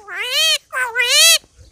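A common myna imitating human speech: two drawn-out, voice-like syllables, the second rising then falling, with nothing else heard.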